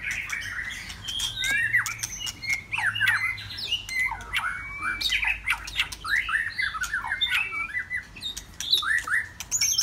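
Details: White-rumped shama on a Saturday afternoon, a dense stream of varied whistled and warbled phrases, with sweeping, slurred and rising notes that overlap almost without pause, interspersed with sharp clicks and short harsh chips.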